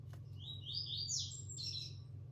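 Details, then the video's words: Caged green-winged saltator of the opalino mutation, singing the Caratinga style while perched on a finger: a bright whistled phrase of rising and falling notes over a steady low hum, with a person speaking softly nearby. "Trinca ferro mutação opalino virada Caratinga cantando no dedo"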